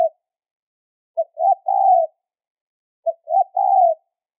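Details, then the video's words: Lure recording of a spotted dove for trapping birds, high in tone: two clean three-note phrases, each a short pip, a swelling note and a lengthy steady coo, with no other sounds. "SUARA PANCINGAN BAHAN PIKAT NADA TINGGI"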